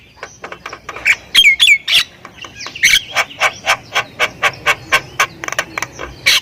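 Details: Javan myna (jalak kebo) from Thailand giving a few whistled, looping notes, then a steady train of short harsh chacks repeated about four times per second, part of its 'full isian' song.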